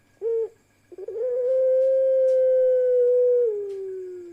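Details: One of a parade of pelung-style ringneck doves, a group with one female: a short opening note, then a very long, steady, drawn-out coo that slides down at the end, in a quiet room.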